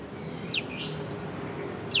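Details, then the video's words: A prinia, locally called prenjak lumut, gives two thin, high, downslurred piw whistles about a second and a half apart over a quiet, hissy background, recorded with a Leica V-Lux (Typ 114). "Burung prenjak lumut piw piw piw"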